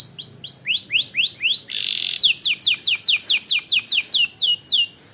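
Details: Canary singing to stir up rivals: a run of downswept whistled notes, a short buzzy burst, then a steady series of sliding notes repeated roughly four per second, clean and loud.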